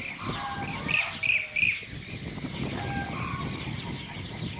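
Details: Blue-cheeked bee-eater, one bird perched on a wire at Estagfirullah, Anatolia, Türkiye, on 9 May 2024: three rolling, trilled, arched notes in quick succession, set in a busy background of other birds and steady outdoor noise.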